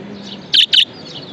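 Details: Budgerigar uttering two rapid, grating chirps back to back, bright and harsh, with a low faint hum and room hiss behind.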